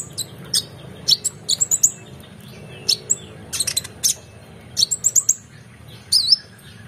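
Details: Oriental magpie-robin in full excited song rich in varied phrases, used as a training model for competition birds: bursts of sharp, high chirps and brief whistled notes in irregular clusters, with short pauses and a low steady hum beneath.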